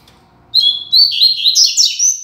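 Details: A caged double-collared seedeater kept as a song tutor delivers a strong, loud phrase: clear high whistles leading into a rapid run of slurred, warbling notes that climb slightly in pitch, in a quiet indoor setting.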